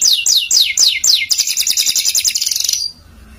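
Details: Canary singing at close range: a series of five loud descending sweeping whistles, then a fast rapid trill of clipped repeated notes for about a second and a half, ending abruptly, with a quiet background.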